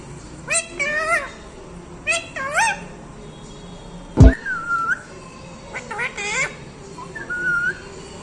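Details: A talking parrot makes a series of short rising nasal calls in pairs, then a sharp click-like knock, a sliding whistle, more rising calls and a final level whistle, with quiet gaps between.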